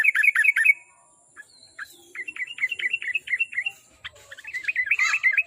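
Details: Sooty-headed bulbul song used as a lure to get a kept bird singing daily: bursts of quick chirpy notes around mid pitch, pausing about a second, then resuming in fast rolling runs.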